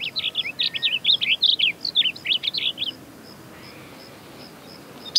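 A Blue Grosbeak sings a rapid, rich warble of jumbled up-and-down notes for about three seconds, then falls silent over faint background hiss.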